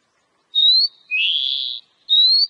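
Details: Oriental magpie-robin (kacer) song used to get kept birds singing: a clear rising whistle, a longer broad scratchy note, then another rising whistle.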